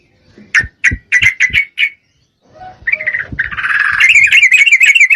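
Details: Female Yellow-vented Bulbul, in breeding condition, calling a male: five sharp chips over low knocking sounds, a pause, then a building, continuous bubbly chatter that grows louder to the end.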